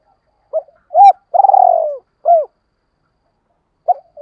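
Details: Spotted dove calling for decoy training: one close, loud phrase of a short coo, a hooked coo, a long vibrating falling coo and a closing hooked coo, then silence and the start of another phrase.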